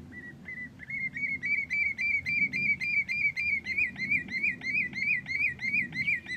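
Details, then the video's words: A common redshank gives a long run of clear, ringing whistled notes, about three or four a second, each dipping at the end, over a soft low rumble. "common redshank sound"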